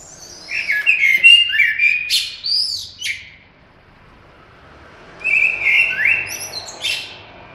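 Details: Common blackbird song: mellow fluted whistles followed by squeaky, high twittering flourishes, then a pause of about two seconds before another whistled phrase ending in a thin, high squeak.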